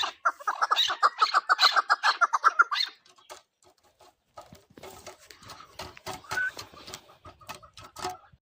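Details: Chukar partridge giving a quick, even series of loud clucking chuk notes for about three seconds, then fainter scattered clicks and rustling.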